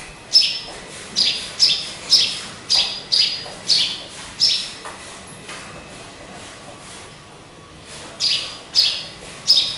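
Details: Hung up high in its cage with nobody around, a pet sparrow calls in a rapid run of about nine sharp, high chirps. After a quiet pause it gives three more, spaced evenly.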